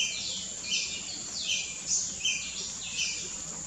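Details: Tickell's blue flycatcher in Perlene Forest, Goa, 2017, sings high, thin, tinkling phrases that sweep up and down, roughly one every half second, over a steady hiss of insects.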